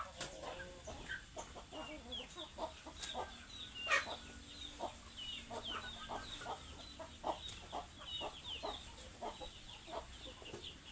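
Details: Hungry chickens calling: many thin, downward-slurred peeps rise from the flock almost without pause, with scattered sharp clicks and knocks throughout.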